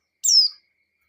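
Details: Female white-eye in breeding condition calling for a male, a single clear high whistle dropping in pitch, lasting under half a second.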